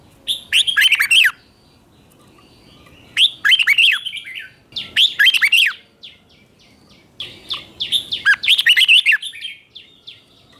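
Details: Red-whiskered bulbul morning training song in the chè style, 2024: four bursts of rich, bubbling whistled phrases with sharply falling slurred notes, separated by pauses of about one to two seconds; quiet background.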